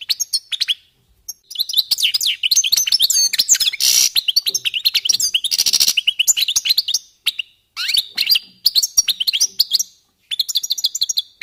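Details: European goldfinches warming up, producing a long, rich stream of tinkling twitters, rapid trills and buzzy notes, nearly continuous with a few short breaks.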